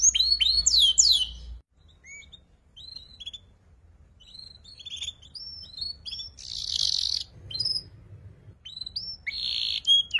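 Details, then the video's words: Young canary practising ngeriwik song as tutor material for shama and magpie-robin: an opening burst of fast sweeping whistles, then scattered short upslurred chirps with pauses and a couple of harsh noisy bursts. "PANCINGAN KENARI PAUD BELAJAR NGERIWIK"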